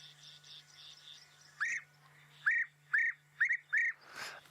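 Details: European bee-eaters flying high overhead, unseen, near thickets and clearings on an afternoon drive, give five short, liquid, rolling 'prruip' notes about half a second apart, over a low steady electrical hum and a closing rustle; the guide links their calling with coming rain.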